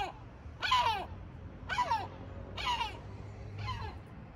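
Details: Sea gull in Batumi, Georgia, four harsh squawks about a second apart, the last fainter, over a noticeable low hum.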